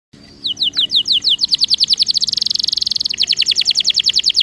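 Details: Canary lure song meant to prompt a reluctant canary to sing and roll: a fast rolling trill of high downward-sweeping notes, about three or four per second at first, then quickening into a dense buzzing roll before slowing again.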